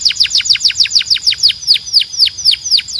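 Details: Belgian canary singing a fast, even series of bright descending whistled sweeps, about four to five notes per second, with a faint higher echo of each note and no other sounds.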